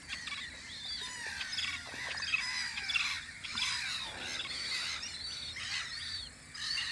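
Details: A crowded seagull colony at a guard post on Audru polder in spring makes a continuous wash of overlapping cries and chattering notes, with no single bird standing out.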